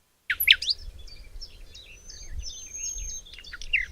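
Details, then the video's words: A common nightingale sings in springtime in a forest near Cologne, Germany: rapid, varied phrases of sharp chirps, trills and a long, pure high whistle, over a low background rumble. "A Tiny Bird With A Big Voice - The Nightingale"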